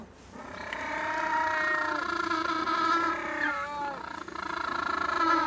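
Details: A pair of African penguins give a mutual display song as one mate arrives at the nest: a loud, nasal, donkey-like braying duet of long, harsh, overlapping notes rising and falling for several seconds.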